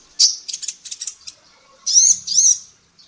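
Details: Female sunbird (kolibri ninja) in a training recording for songbirds. A quick run of high ticking chatter gives way to two slurred, upward-bending chirps.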